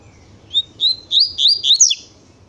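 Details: A double-collared seedeater song in the tui tui style: separated whistled notes that speed up into a rising run and end on a falling swoop, over a steady low hum.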